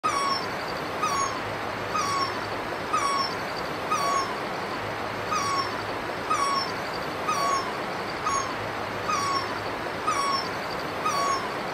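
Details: A great barbet in Himachal Pradesh, India, gives a loud, mewing, downslurred note, repeated steadily about once a second, with a faint low engine hum in the background.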